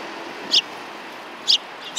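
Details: Sparrows behind a civic cultural hall, 17 January 2020: two short, sharp high chirps about a second apart, plus a third starting at the end, against a soft hiss.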